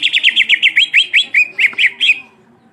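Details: {'text': 'Cucak ijo in full rolling song, a provocative performance: a dense series of about fourteen quick, sharp whistled syllables, each slurring down, delivered roughly every fifth of a second before stopping abruptly.'}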